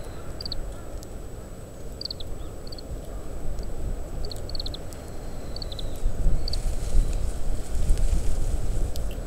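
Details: Oriental greenfinch feeding on summer camellia seeds and husking them, its call notes picked up by a parabolic microphone despite strong wind: brief high chirps in clusters of two or three, over heavy low rumble that swells toward the end.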